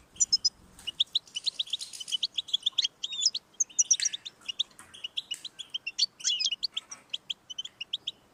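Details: Lively European goldfinch song to set a pet goldfinch singing: a dense, continuous run of high tinkling twitters, trills and chips, with occasional buzzy notes in between.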